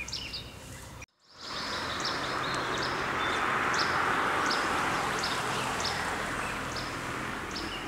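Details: Russet sparrow in southern Taiwan, a bird now rare there and found at only a few places: short, high chirps repeated steadily about four times a second over a constant background hiss of environmental noise, after a brief silent gap near the start.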